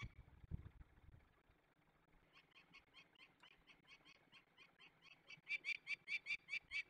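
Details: Peregrine falcon during release of young birds, Barycz Valley, Poland, 27 May 2020: after a low thump, a long series of harsh, rasping notes starts, repeated roughly twice a second and growing louder toward the end.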